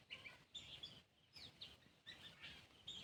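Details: An Oriental magpie-robin sings a new tune after a cat moves away: high, thin whistled phrases in short bursts with brief pauses, over a steady low rumble of rural background noise.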